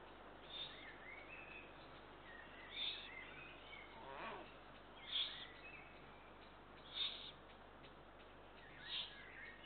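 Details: Begging of Eurasian eagle-owl chicks at feeding time, 2 June 2023: five rasping, hissy bursts about two seconds apart, with thin whistled chirps and faint clicks in between.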